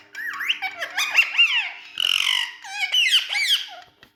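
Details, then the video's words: Indian ringneck parrot in a room with two other talking parrots, producing a continuous stream of warbling, slurred, speech-like squeaks with a brief harsh buzzy segment midway, all high-pitched and harmonic. "New Indian🌷Talking Parrot🎊With 2 Other Speaking Parrots"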